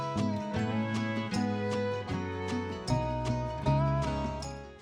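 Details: Guitar-led country music plays throughout, with steady strummed chords and bass notes and no animal sounds.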